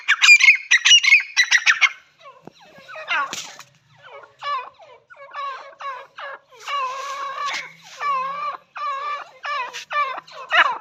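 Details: Partridge calling, first with rapid harsh notes, then with repeated nasal, ringing notes at about one and a half per second in uneven bursts, set against a quiet background.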